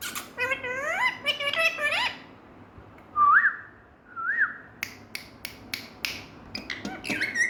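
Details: Pet green parrot in India making funny sounds: a burst of rising, harmonic nasal calls, then whistled upslurred notes, followed by sharp clicks and snaps and another short whistle at the end.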